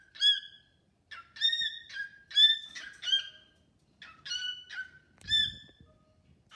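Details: Caged cockatiel singing to a new bird companion: a string of clear harmonic whistled notes, some flat and some slurred, in paired phrases about every second, with a brief rustle near the end.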